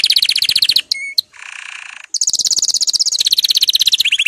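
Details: Singing canary, recorded to prompt canaries to sing: rapid high trills, a brief whistle, a buzzy harsh tour, then fast rolling trills that drop lower near the end.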